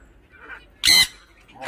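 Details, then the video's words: Tame Swainson's lorikeet kept as a pet and described as very angry, giving one short, harsh, broadband screech between quiet stretches, with a person speaking Malayalam nearby. "നീലു കട്ട കലിപ്പിലാണ്"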